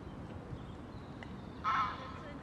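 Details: Courting pair of great crested grebes, reunited and already nest building; a single short, harsh, nasal call after quiet background rustle.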